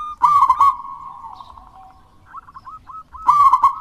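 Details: Local wild-type zebra dove singing strongly to prompt lazy doves: a loud rolling, warbled coo opens and closes the passage, with softer sustained tone and a few brief notes between.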